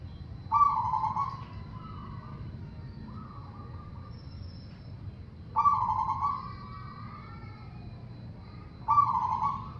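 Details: Zebra dove singing to make other doves sing: three rolling coo phrases, each opening with a strong burred note followed by softer tremulous notes, repeated about every four seconds over a quiet low rumble.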